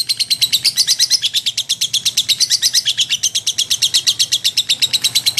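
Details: Lovebird singing as training material for magpie-robins: continuous series of bright, squeaky chirps about three per second, even in rhythm with small pitch wavers.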